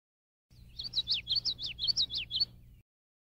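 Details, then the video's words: Singing male common yellowthroat, Illinois, May, while foraging: four quick repeated phrases of high bright notes with sharp downward slurs, about two seconds long, against a faint low hum. "COMMON YELLOWTHROAT male singing, foraging"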